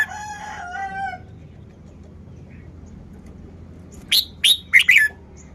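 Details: Red-whiskered bulbul song-style phrase of four sharp, bright chirped notes in quick succession, preceded by a separate drawn-out tonal call and a quiet gap.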